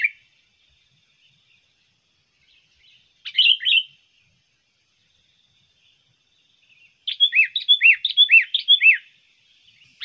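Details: Trained sooty-headed bulbul used as a trapping lure: a single chirpy phrase, then after a pause a rapid run of about a dozen short, rising and falling notes lasting two seconds.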